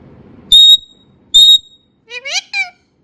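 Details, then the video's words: Indian ringneck parakeet giving two clear flat whistles about a second apart, followed by a short burst of squeaky, speech-like syllables. "Indian ringneck parrot talking and making natural sounds"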